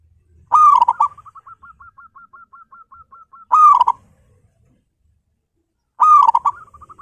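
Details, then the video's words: Local zebra dove kept at home, singing actively with a big voice, used as a lure to start other doves singing: three loud harmonic cooing bursts about three seconds apart, each trailing into a run of soft, evenly spaced short notes. "PERKUTUT LOKAL GACOR PALING GACOR SUARA BESAR"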